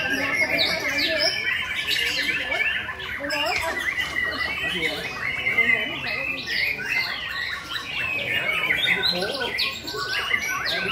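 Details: Several White-rumped Shamas sing at once during a singing competition round in May 2020, a dense stream of rich whistles, chattering phrases and harsh squawks, with a person talking in the background.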